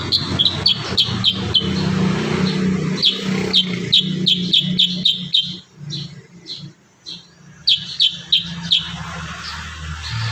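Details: Kurincang chattering continuously for bird training: rapid strings of short, high chirps in bursts, a brief quieter gap midway, then more chirp runs, over a constant low droning hum.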